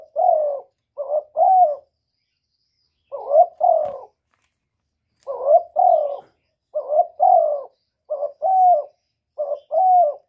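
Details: Cu gáy, or spotted dove, repeating its 'một hậu ròng' coo: short low hoarse phrases of two or three notes, about seven groups over ten seconds with brief pauses between them, in a quiet setting.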